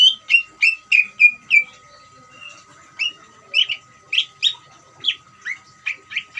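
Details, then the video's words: Greater green leafbird song meant to rouse other leafbirds to sing: fast series of short downslurred chirps, roughly three per second, in irregular clusters with brief pauses, over a faint constant hum. "CUCAK IJO NGERIWIK COCOK UNTUK MANCING CUCAK IJO BAHAN BIAR EMOSI DAN RAJIN BUNYI"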